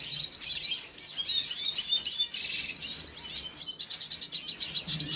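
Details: Red siskin, 5 June 2022: quick high chirps and sharp tweets delivered in fast bursts, briefly stopping near the end before the chirping picks up again.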